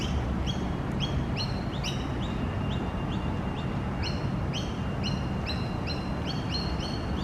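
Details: Foraging young magpie looking for worms, a second bird collecting dried grass for its nest; repeated squeaky rising chirps, often doubled, keep coming for several seconds over a low continuous background rumble.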